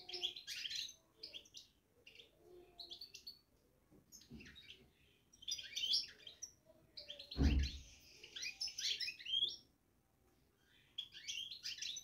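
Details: Caged European goldfinch babbling: bursts of bright, scratchy twittering notes in quick clusters, separated by short pauses, with one dull thump partway through and a quiet room background.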